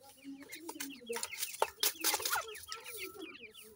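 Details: Grey francolin chicks in a captive breeding setup giving rapid, short, high peeping notes that slide downward, with lower chirps and intermittent clattering handling noises.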